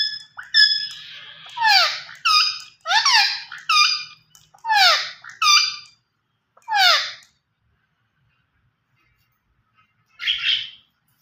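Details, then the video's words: Green ringneck parakeet, described as talking: a rapid string of loud, harsh, downward-sweeping squawks with rich overtones, about ten in seven seconds, then a silent gap and one final burst. "Gareen Ringneck Perot talking sound"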